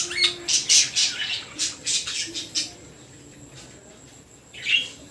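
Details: Baby budgerigar making a burst of high, scratchy chirps and squawks, then a pause and a single squawk near the end, with faint background noise.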